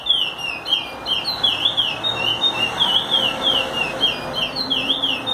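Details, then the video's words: Curió (chestnut-bellied seed finch) singing a song meant for teaching: rapid chain of warbled whistles, each note swooping up then down, delivered in an unbroken rolling stream over light background noise. "curió canto para ensinar"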